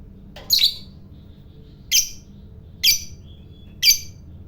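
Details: Lovebird fighter kept by Indonesian bird hobbyists, whose long ngekek chatter is said to provoke other lovebirds. Here the bird gives four separate sharp, high chirps about a second apart, with quiet background between them.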